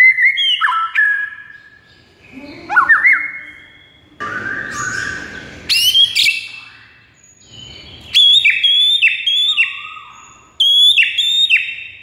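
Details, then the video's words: Varied song of a white-rumped shama meant to provoke a quiet bird into song: descending whistles, a harsh noisy burst, then rapid high ringing phrases repeated in series. "JADIKAN MURAI BATU BISU LANGSUNG NGAMUK DAN GACOR MENDENGARNYA"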